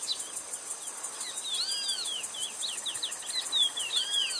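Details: A curió, or chestnut-bellied seed finch, sings a series of high slurred whistles. Arched, ringing notes recur over a steady high background hiss.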